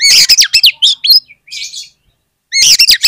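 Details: Oriental magpie-robin singing as a lure to prompt other magpie-robins into song: loud, dense run of rapid slurred whistles and chattering notes, a brief buzzy phrase, a half-second pause, then another vigorous burst.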